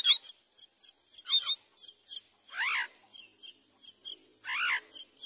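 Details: Common myna, a mother bringing rice to feed her baby, gives harsh, raspy bursts mixed with short chirps and two drawn-out, nasal arched notes, about one per second, fairly high-pitched.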